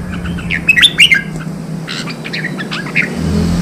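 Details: Red-whiskered bulbul song used to stir wild-caught birds to fight: a few quick whistled and slurred notes in two short bursts against steady low engine-like hum and background noise.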